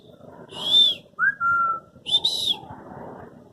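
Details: African grey parrot at Dhauladhar Nature Park, Dharamshala, India: a few clear tonal whistles, a high bent note, a lower drawn-out one, then a doubled high whistle, with faint murmuring in the background.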